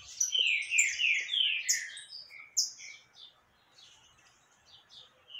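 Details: Canário caboclo recorded on 20 October 2021 delivers a fast burst of sharp, chirpy downslurred notes for about three seconds, then drops to faint, scattered twitters.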